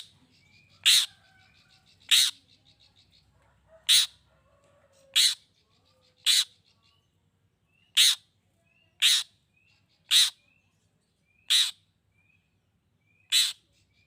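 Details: Long-tailed shrike used to stir other shrikes to answer: ten sharp, rasping shrieks spaced one to two seconds apart over a quiet background, with faint chirps and short whistles from other birds early on.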